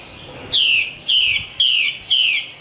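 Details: Chinese hwamei, a female from Vietnam's northwestern highlands, gives four strong downward-sliding whistled notes at roughly half-second intervals over a low background hiss.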